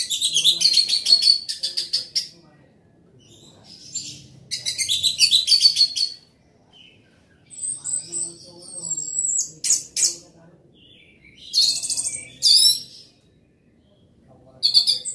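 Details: Orange-headed thrush singing loudly in long phrases: rapid, rich jumbles of high whistles, clicks and chatter lasting a second or two, separated by short silences, repeated about every two to three seconds.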